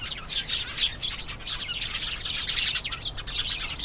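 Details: Canary singing a lively, high run of buzzy trills and whistled slurs, swelling and fading repeatedly.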